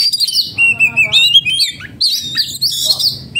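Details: Close, loud song of an agitated oriental magpie-robin (kacer) in breeding condition, mixing long clear whistled slurs with fast chattering notes and buzzy bursts, broken by short gaps.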